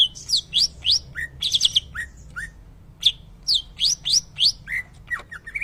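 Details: Greater green leafbird with shama-style song: fast series of high whistled upslurs and chips, about three per second, pausing briefly before a further run, steady low hum beneath.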